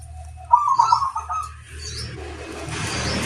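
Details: Zebra dove lure song: one brisk, stuttering mid-pitched coo phrase, followed by rising rustling, hissy background noise that swells toward the end.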